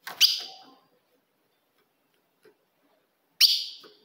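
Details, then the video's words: Ultramarine grosbeak female call used to rouse a male: one sharp bright note, a long silence broken by a tiny tick, then a second identical ringing chip. "se o seu azulão não segura fogo de fêmea"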